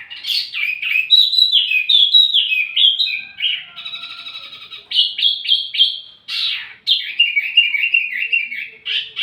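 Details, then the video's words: Wambi mini, recorded as a lure and tutor for flowerpeckers, giving varied twittering whistles with a steady buzzy trill in the middle before more chattering phrases. "wambi mini burung pancingan sekaligus masteran buat tledekan anda"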